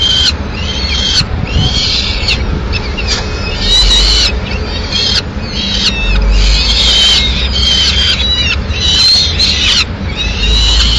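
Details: Peregrine falcon nest in Madrid, Spain, 6 May 2016, female delivering a pigeon; bursts of grating, bending wail notes come in clusters separated by brief pauses, with low-frequency background hum and occasional clicks.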